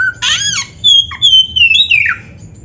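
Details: Oriental magpie-robin song for training caged birds to sing: a harsh buzzy burst followed by long, clear, gliding whistles that drift downward and end in a falling slur.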